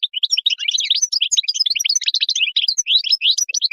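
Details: European goldfinch singing its wild song, used to tutor young birds: a dense, breathless jumble of bright tinkling and twittering notes, quick and varied throughout.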